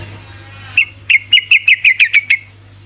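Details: Yellow-vented bulbul, lively 'ropel' song used to trigger singing in silent bulbuls: one note, then a quick string of about eight bright, slightly downslurred chirps, with steady background hum.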